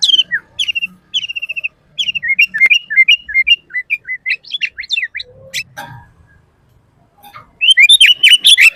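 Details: Sooty-headed bulbul singing in lively form, used for training and luring other bulbuls; clipped chirps and short slurred whistled notes in quick series, a brief quiet spell with a faint sound, then a fresh burst of chirping.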